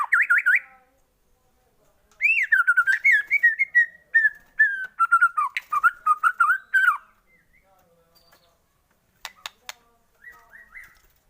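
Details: White-rumped shama singing as a lure to excite shamas into full song: a short bright trill, a pause, then a long run of clear slurred whistles drifting slowly lower, ending in faint scattered notes.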